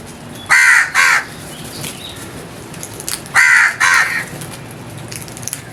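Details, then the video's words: Crow giving loud, harsh, raspy caws in two paired bursts about three seconds apart, each caw broadband and rough, with faint background hiss between. "Crows loud noise"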